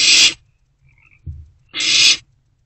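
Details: In an owl box around 1:22 am, an owlet eating a freshly brought rodent makes two short explosive hisses about one and a half seconds apart, with a dull thud between them.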